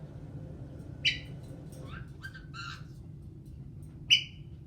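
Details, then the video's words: Caique parrot at home, said to sing, laugh, swear and dance, giving two loud sharp squawks about three seconds apart with a run of short buzzy chattering notes between them, room hum beneath. "Caique Parrot sings, laughs, swears, dances"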